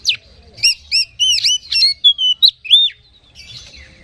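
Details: Oriental magpie-robin song as a lure to stir other magpie-robins: repeated arched, two-toned notes in quick succession, then sharper falling whistles and a longer slurred note, trailing into soft chatter.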